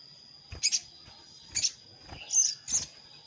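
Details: Sogon rival-calling lure for trapping wild sogon; four short high chirps, double-peaked and slightly slurred, roughly every half second to second, with a faint constant high tone.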